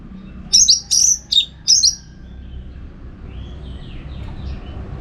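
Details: Orange-headed thrush singing energetically, used as a master recording to train contest birds: four loud, high whistled notes in quick succession, then faint, distant sweeping whistles over low background hum.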